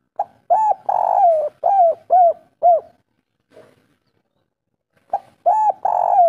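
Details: Local Indonesian spotted dove singing in the kuk 3 style, used as a lure to get other doves singing. Mellow arched coos come in quick runs of five, then a pause, then three more coos.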